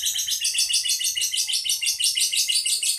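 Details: Captive lovebird from a Boyolali, Indonesia collection delivering its prized 'ngedur' long trill: a dense, high, buzzy stream of rapid notes, pulsing roughly three times a second without a break.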